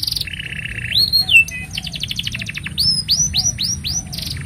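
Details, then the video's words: Canary singing a long song meant as a master for young canaries: a flat buzzy trill, a swooping whistle, a rapid dense rattle, then five upswept whistles in even succession over a low hum. "Kenari Gacor Panjang Ini Bagus Untuk Masteran Kenari Paud Dan Pancingan Kenari Bisu"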